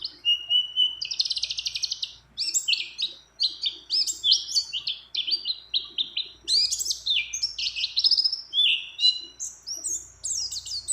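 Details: Female white-eye in breeding condition calling a male, with many other birds' phrases: loud, varied high song of buzzy trills, sharp chirps and whistled slurs in quick phrases with brief pauses.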